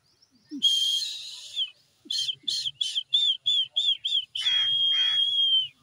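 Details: Green ringneck parrots fighting among themselves; loud, harsh, high screeches, one long, then a rapid run of short repeated squawks, ending in another drawn-out screech.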